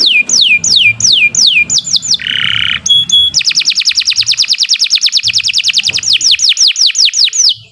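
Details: Kenari Nusantara canary in a long training song for other birds: falling whistled slurs, a harsh buzz, brief high pure notes, then a long fast trill of even notes and more descending whistles.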